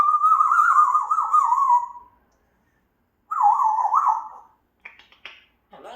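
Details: African grey parrot kept at home giving a long quavering whistle, then a shorter wavering phrase, followed by a few brief harsh clicks and a rough low note.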